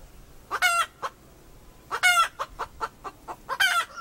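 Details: Female chicken calling: three loud nasal squawks, each followed by a scatter of short, clipped clucks in a quiet setting.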